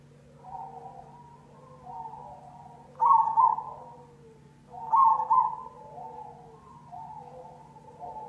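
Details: Cemani zebra dove lure song: soft low cooing leads into two loud, quavering coo phrases about two seconds apart, each trailed by gentler descending notes, with a steady mechanical hum underneath.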